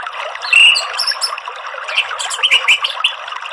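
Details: Morning ngeplong song of an orange-headed thrush, softer here: one strong whistled note early on, then quick chips and short warbled phrases over a busy background of thin, high twittering.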